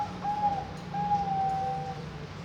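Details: Zebra dove of the Bangkok type, a farm-bred bird hatched 6 June 2024 in Kediri, East Java, Indonesia. It gives long, steady whistled coo notes at an even pitch in three drawn-out phrases over a low background hum.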